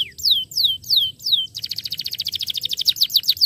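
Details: A starblue canary sings to coax quiet canaries back into song; several long downward-slurred whistles lead into a fast, buzzy rolling trill of high repeated notes.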